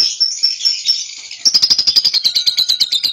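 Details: Caged young cobalt lovebird in ngekek song, a steady high chattering trill that speeds into sharp, evenly spaced pulses, about eight per second, loud and continuous throughout.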